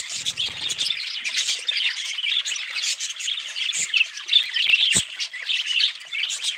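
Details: Many budgerigars call at once, rapid high chirps and grating squawks forming a continuous chatter, with a faint low buzz early and a soft knock near five seconds.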